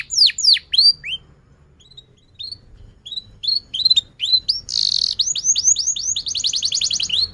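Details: Canary singing to stimulate other canaries: sharp down-slurred whistles, softer rising chirps, then a buzzy burst and quick repeated whistled notes building into a fast trill.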